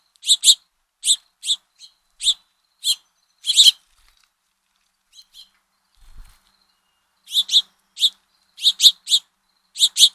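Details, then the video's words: House finch fledglings begging while fed by the father, repeating harsh doubled high chips, then a quiet spell with a soft thump, then a fresh run of chips. "House Finch Calls - Father Finch Feeds Fledglings"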